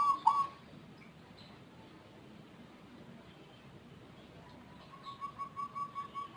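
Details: Zebra dove with an unusual voice that calls frequently and at length: a clipped coo note at the start, a long stretch of background hiss, then a steady rolling series of soft pulsed notes building toward the end.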